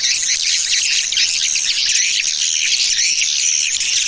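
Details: Tarik Permata lure sound for drawing in swiftlets, made of an unbroken mass of high, rapid chirps and twitters at an even loudness with no pauses.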